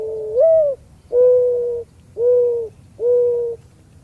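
A mourning dove gives its low, hollow coo: an upslurred opening note, then three steady, drawn-out hoots about a second apart.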